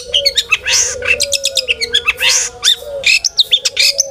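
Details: Long-tailed shrike singing a full, varied song used to stir other shrikes into song: rapid jumble of harsh chirps, buzzy rasps and sharp whistled notes in quick succession over a steady low hum.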